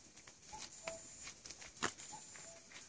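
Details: In spring 2014 woods, a cuckoo sounds two falling cuck-oo phrases about one and a half seconds apart, with sharp clicks and rustles near the middle and a high thin steady whistle behind.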